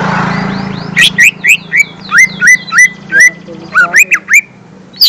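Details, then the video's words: Lesser green leafbird lure song aimed at young birds: a steady sequence of loud rising whistles with occasional sharp high chips, over a faint low hum. "Suara Pancingan Cucak Ijo Mini/Cimini Bakalan"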